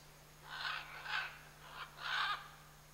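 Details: Pair of scarlet macaws in the Chiquibul area giving three harsh, raspy squawks, the last one longest and loudest, with a quiet gap between calls and a steady low hum behind.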